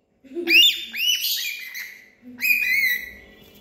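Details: Parrot producing a few harsh, arched squawks followed by a longer, flat screeching note, with a low murmur beneath.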